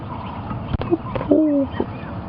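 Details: Ring-necked Dove calling in the bush during a sunrise safari drive, Oct. 31, 2015: a short soft note then a longer steady drawn-out coo, over faint hiss and a sharp knock.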